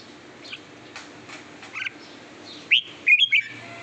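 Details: Red-whiskered bulbul being readied as a decoy bird: faint scattered chirps, then near the end a few loud, short whistled phrases rising and bending between higher notes, over quiet background hiss.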